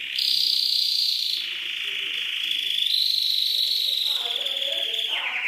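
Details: A rolling canary trill opens high, drops to a lower steady tour, then rises again and ends in a descending flourish, all sung without a break.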